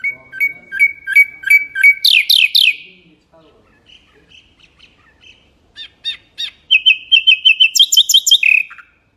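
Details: Melodious, varied song of a mangrove whistler: quick repeated two-part chirps building into loud downslurred notes, a pause with soft twitters, then a fast even series of bright notes closing on a lower slurred whistle.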